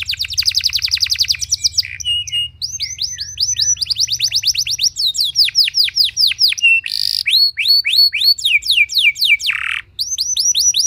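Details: Canary singing to prompt other canaries to join in: long varied song of buzzy trills, rising whistled upslurs and quick falling sweeps, with harsh rasping bursts between phrases.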